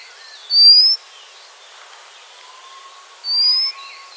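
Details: White-crowned redstart, a resident of rocky mountain streams in north-western Vietnam: two thin, high whistled notes, each rising slightly, about three seconds apart, with faint lower whistles between them over quiet background.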